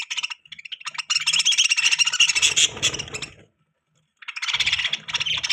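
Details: Budgerigar chirping in a long, dense warble of rapid squeaky notes, broken by a second-long silence before the chattering resumes.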